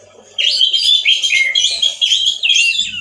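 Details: Dense, loud, harsh song from a male orange-headed thrush with little variety, likened to a wild bird. Scratchy, buzzy whistles tumble together almost without pause.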